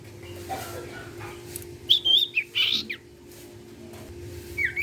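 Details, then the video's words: Sirtu singing to prompt other sirtu birds; a few short whistled and rasping notes in the middle, a final falling whistle, all fairly quiet against hiss and a low hum. "SIRTU CIPOW GACOR BIKIN SIRTU BAHAN IKUT BUNYI."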